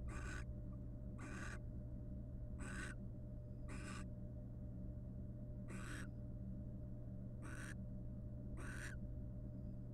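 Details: Barn owls, a wild courting pair grooming each other's feathers in a nest box; seven rough hissing screeches, short and breathy, with one longer pause mid-sequence, over low steady hum.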